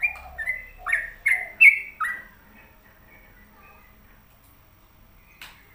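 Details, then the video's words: Sooty-headed bulbul kept at home, singing a run of loud, slurred whistled notes that bend down and up, about five phrases in two seconds, then softer fading notes with a quiet background. "Pokoknya Cari Trucuk yang Gacor"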